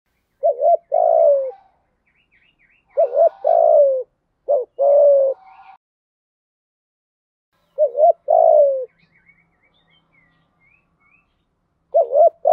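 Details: Spotted dove decoy cooing to lure wild doves during the rainy, windy season, thổ sấm voice: three repeated phrases of quick double notes followed by a drawn-out falling coo, separated by pauses of several seconds.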